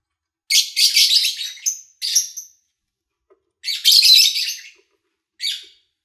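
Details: Lovebird sounds recorded in August 2019 during the owner's trip away, with little engine noise; two loud bursts of grating, buzzy chatter with short follow-up chirps and silent gaps between.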